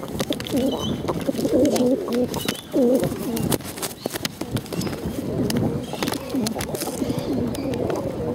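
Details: Hungry bottle-fed pigeons begging: low wavering cooing and squeaky whines in repeated bursts, several birds calling together, with some clicks and handling noise.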